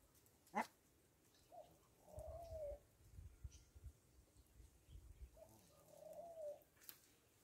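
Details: Rock dove (Columba livia) on a farm: two soft, throaty coos, each a low rolling phrase about a second long, a few seconds apart, with sharp knocks at the start and end.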